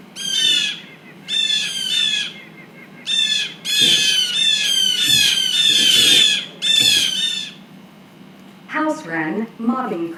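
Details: Blue jay; mobbing call; mobbing a predator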